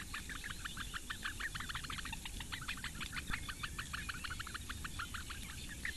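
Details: At a reedbed nest on Lake Engure, Latvia, four great bittern chicks beg while the female feeds them, 8:46 am, 15 May 2017; quick series of sharp ticks, some louder notes standing out, over a low rumbling background.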